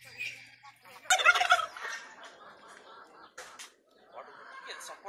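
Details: Playing pet turkeys let out a sudden loud, harsh rattling gobble lasting about half a second, followed by softer scratchy calls and a brief squeaky note.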